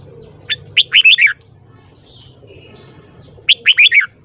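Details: Red-whiskered bulbul, morning singing: a cheerful string of five rolling, fluty notes, then silence and a second matching phrase about three seconds later; low steady hum beneath.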